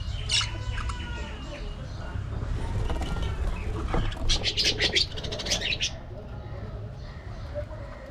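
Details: Pet budgies playing, squabbling and grooming; scattered chirps and warbles early, then a burst of rapid scratchy squawking chatter midway, with low rumbling noise throughout.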